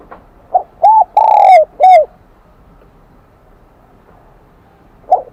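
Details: Wild-caught spotted dove in the high 'kim đồng' voice style, producing a quick soft note, an arched coo, a long ringing coo and another arched coo, then quiet with one faint note at the end.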